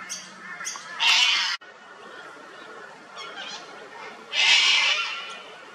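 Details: Australian sulphur-crested cockatoo at an old dead tree where it feeds on honey, giving a harsh grating screech. A sharp click follows, then quieter rustling and a second long rasping screech.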